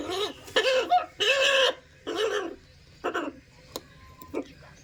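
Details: Breeding pair of macaws giving loud, harsh, raspy squawks: four long grating calls in the first two seconds, then shorter clipped squawks and sharp clicks over a quiet background.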